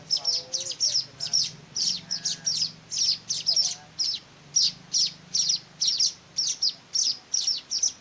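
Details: Weaver chicks begging while being hand-fed: sharp, high chirps repeated about twice a second in a steady, insistent series, over a low background hum with faint lower sounds early on.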